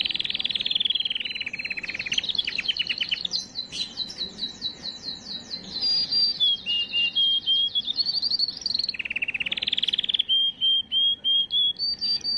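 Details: Canary song aimed at preparing females for breeding: continuous varied singing with rapid trills, rattling runs of chips, sliding whistles and repeated level whistled notes over twelve seconds.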